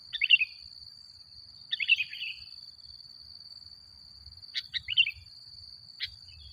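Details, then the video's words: Sooty-headed bulbul heard in a lure recording to provoke other bulbuls: three short bubbly warbled phrases spaced with pauses, a couple of sharp clicks, and an unbroken high faint whine throughout. "Suara Burung Kutilang Gacor Paling Ampuh Untuk Pancingan"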